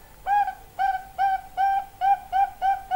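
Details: Zebra dove (perkutut) song: a steady series of short, clear, hooting notes with bright overtones, repeated roughly every third of a second, each note slightly upturned at its start, over a quiet background.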